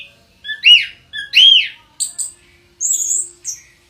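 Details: Orange-headed thrush, kept at home, sings two arched clear whistles each led by a short low note, followed by high thin squeaks and a sustained very high whistle.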